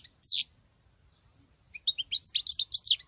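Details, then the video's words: Female goldfinch singing like a male, opening with a single strong descending note, a soft trill, then a quick stream of bright twittering chirps. "Femelle chardonneret qui chante que le mâle l c'est bizarre !!!"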